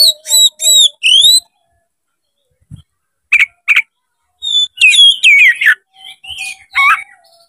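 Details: Oriental magpie-robin, a tail-opening kacer, sings to goad another bird into fighting: three pure whistled notes, a gap, then sharp chips and a jumbled, buzzy whistled phrase.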